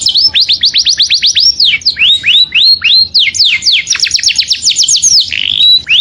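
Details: Saffron finch calling its companion, pouring out rapid bright slurred notes, about four a second, shifting between rising and falling sweeps.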